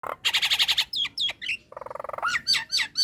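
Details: Female Nias hill myna in breeding condition calling to males: loud rapid buzzy pulsed bursts, sharp whistled downslurs, a low chattering rattle, then a string of ringing rising-falling whistles, dense and varied.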